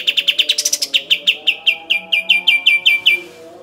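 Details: Kapas tembak song used as training audio for songbirds: a fast series of short sharp notes, briefly rising high then settling into steady lower repeated pips, about fifteen in all, over faint low tonal background sounds.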